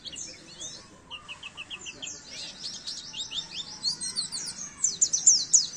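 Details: Oriental white-eye song used as a training recording for caged birds: rapid high twittering phrases, a run of short repeated chirps, then dense thin trills and sharp descending notes filling the last seconds.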